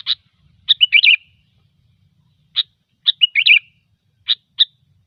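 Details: Sooty-headed bulbul's gecor lure song for trapping: crisp single chirps mixed with two rapid gurgling warbled phrases, delivered irregularly over a clean, quiet background.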